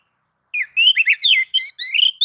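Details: Oriental magpie-robin singing nagan and ngobra style to provoke other magpie-robins; a run of loud, clear whistled phrases, each swooping up and down, delivered in quick succession.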